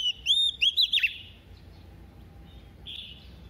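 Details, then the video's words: Female White-rumped shama singing a double-voiced song meant to rouse males. A quick burst of bright, slurred whistles with rising and falling sweeps, then near silence and one faint, drawn-out whistle near the end. "Choè than mái mồi hót giọng kép kích trống cực phê"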